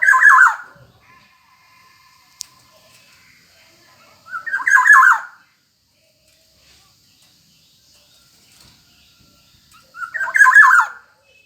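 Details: Black-naped oriole calling repeatedly: three loud, harsh, nasal squawks, each under a second long, spaced roughly five to six seconds apart with quiet gaps between.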